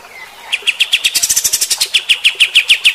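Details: Kapas tembak bulbul singing harsh 'shooting' phrases meant to rile fighter-type birds: a faint rising whistle, then a rapid, evenly spaced series of sharp high chips, roughly seven per second, growing steadily louder.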